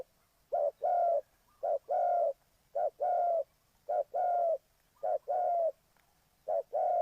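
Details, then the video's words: Spotted dove kept as a trap lure, cooing steadily: six phrases pairing a clipped short coo with a longer rounded coo, repeated at roughly one-second intervals. "Cu gáy Ninh Thuận"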